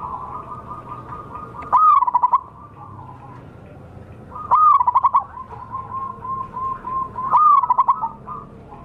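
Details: Wild local zebra dove as bait for trapping: three loud phrases, each opening with a rising note that breaks into a stutter, joined by soft, steady low cooing.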